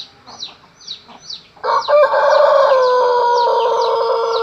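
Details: Pelung chicken crowing: a long, sustained, mellow crow begins after a few short chirps, held steady for nearly three seconds with slight wavering, other small birds chirping in the background.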